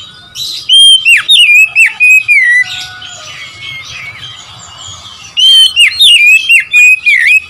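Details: Oriental magpie-robin song to provoke rival birds: loud clear whistles with sharp swooping notes, a quieter middle gap of about three seconds, then another vigorous burst of varied whistling.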